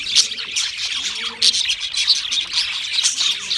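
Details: Pet budgerigars singing: a dense continuous warble of rapid chirps, scratchy chatter and squawky notes, several birds overlapping.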